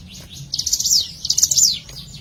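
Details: Hill prinia lure recording: two quick bursts of sharp, high, stuttering notes, each ending in a falling sweep, close together in about two seconds.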